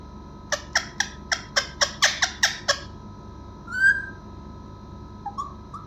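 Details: Parrot giving a quick series of about nine sharp, harsh clicking notes in under three seconds, followed by a single short whistle and two faint soft notes, over a low steady hum.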